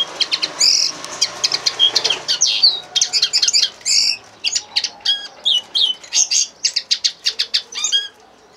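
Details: A linnet's song in bursts: sharp, high twittering notes delivered in quick clusters, separated by brief gaps, with a few clicking and fluttery sounds between phrases.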